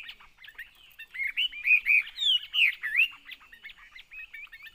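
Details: Chinese hwamei kept in a cage, delivering a rich whistled song: soft clipped notes build into a loud run of slurred, looping whistles, some rising and falling sharply, then quieter quick chips.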